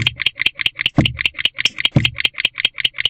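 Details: A pair of barn owls inside a nest box before dawn, being affectionate; even series of short raspy ticking notes, roughly five per second, with two soft low bumps partway through.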